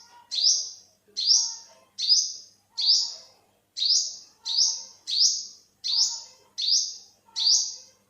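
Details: Olive-backed sunbird, also called yellow-bellied sunbird, calling: a loud, high, sharp note that sweeps upward and then holds briefly, repeated steadily about every 0.7 seconds, eleven times, with faint lower tones in the background.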